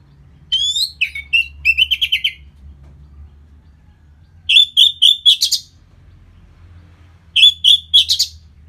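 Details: Lure song of the Orange-headed thrush, meant to make the bird more aggressive after moulting: three bursts of rapid, evenly repeated chattering notes, each burst about a second long, separated by pauses of several seconds.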